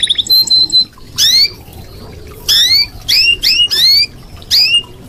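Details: Red canary, used as a tutor recording, giving a bright steady whistle then a series of sharp upward-sweeping whistled notes in separate bursts, roughly two a second, with quiet between.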